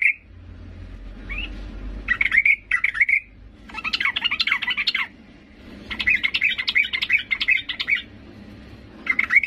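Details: Female yellow-vented bulbul calling to the male. Bursts of harsh, squawky chattering notes, each burst lasting one to two seconds, alternate with short pauses over a low background rumble.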